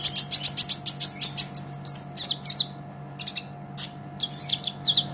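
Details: Sunbird called Kolibri Ninja, a training master for songbirds, opens with a rapid series of about ten evenly spaced shrill chips, then scattered high twitters and squeaks.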